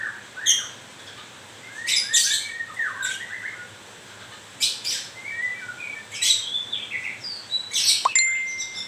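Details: White-rumped shama in moult, giving scattered harsh, scratchy bursts of high notes with a few short lower whistled slurs, separated by pauses, and a sharp, ringing, steady tone near the end.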